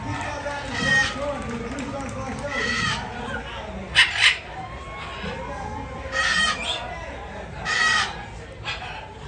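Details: Pair of macaw kinds, blue-and-yellow and red-and-green, said to talk: scattered harsh raspy squawks and a sharp double screech rise over a steady background of people's chatter and low rumble.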